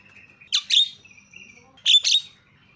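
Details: Javan myna call meant to provoke other mynas: two short pairs of harsh, explosive squawks about one and a half seconds apart, with a faint thin whistled tone between them.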